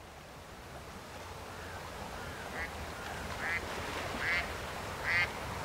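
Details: Mallard recorded on 23 September 2020 at Roshchino, Leningrad Oblast, Russia: four short nasal quacks, faint at first and growing louder, spaced roughly a second apart over a low background hum.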